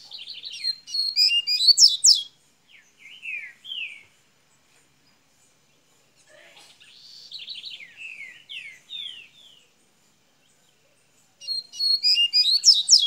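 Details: Golinha-style song from a Minas Gerais double-collared seedeater: loud rapid bursts of sharp high notes open and close the stretch, with buzzy rolling phrases and descending slurs between long pauses.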